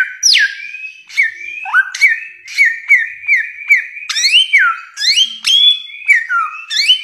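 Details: Samyong, the bare-throated whistler, in a long training recording of its many-voiced song: loud, pure whistles stepping up and down, with short upslurs and held notes repeated about every half second in a continuous run.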